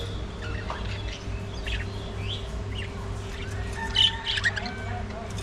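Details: Budgerigars at early morning feeding time giving scattered short chirps and warbling notes, one bright whistled squeak near the end, over a steady low hum.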